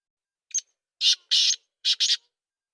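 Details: Black francolin (kala teetar) call: one short scratchy lead-in note, then two pairs of loud, rasping, broadband notes in quick succession, over about two seconds in quiet surroundings.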